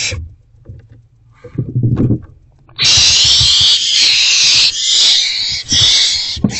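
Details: Owl at a nest box during an evening rodent delivery. Rustling and scuffling give way to a long, loud, harsh hissing screech lasting several seconds, broken by brief dips.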